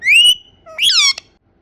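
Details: Indian ringneck parakeet producing a rising whistled squeal, then a harsh descending squawk and a brief click, all high-pitched and clean.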